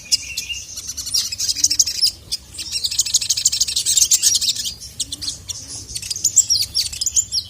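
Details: Sogon (ruby-cheeked sunbird), agitated and calling to a male, gives long stretches of rapid, high, scratchy twittering broken by brief pauses, with a faint low murmur underneath.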